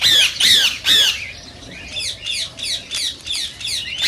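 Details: Rose-ringed parakeet, the green Indian ring-necked form, calling to stir mating and singing: three loud, harsh screeches in a row, then a short pause and a regular train of softer descending squawks.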